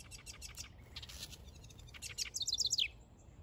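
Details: In a backyard, a nest-building male house wren sings a rapid cascade of high bubbly notes that drops in pitch over under a second, preceded by softer ticking notes.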